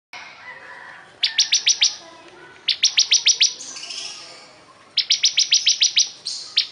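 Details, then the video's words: A Bar-winged Prinia (ciblek kristal) sings energetically in bursts of five to seven sharp, high, rapid notes every second or two, linked by thin wheezy buzzing phrases. "Suara Burung Ciblek Kristal super gacor"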